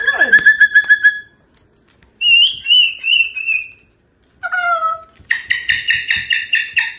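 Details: A pet Moluccan cockatoo at bedtime complains about going into his cage with loud, harsh, whistled squawks and falling wails, ending in rapid grating bursts, amid faint household sounds, music and laughter.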